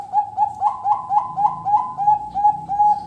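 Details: Zebra dove in active fales and noklak song. A steady train of soft, hollow, rolling coos repeated about three times a second, several notes rising briefly to a higher bend, over a low rumbling background.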